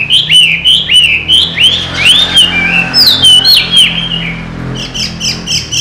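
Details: Chinese hwamei, a trained cage bird that flies out when its door opens and returns to the cage, singing loud, clear whistled phrases that swoop up and down, each slurred note repeated in quick succession, with a faint low hum behind.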